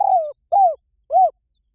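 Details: Spotted dove calling: three mellow, arched coos, the first longer and gently falling, spaced about half a second apart, with a clean quiet background.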